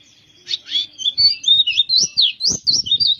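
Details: Loud, continuous song of a dakun white-eye from Kintamani, Bali: a rapid, high, twisting warble of rising and falling whistled notes that runs without pause. Soft low knocks are heard underneath.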